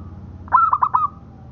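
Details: Local zebra dove song for training other doves: one brief, gentle phrase of four rounded, low coos run quickly together, the last note trailing off at a steady pitch, with a low background hum.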